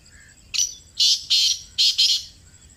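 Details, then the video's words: Close recording of a black francolin (kala teetar, Pakistan): one brief harsh note opens, followed by two drawn-out rasping notes and a tight closing pair, the whole phrase grating and broad. "Kala Teetar Ki Awaaz | Khamosh Teetar Bhi Bol Utha! 🐦 | Black Partridge Voice"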